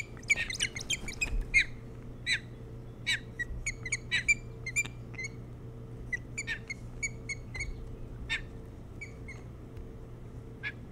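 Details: Early-morning nest-cam sound from an osprey nest on Hog Island, Maine, 3 July 2018: a flurry of excited, overlapping chirps and squeals at first, easing into sparser whistled notes with gaps.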